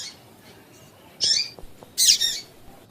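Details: High, harsh chips from a female double-collared seedeater, a call meant to get males singing, given twice about a second apart, the second call longer and noisier than the first.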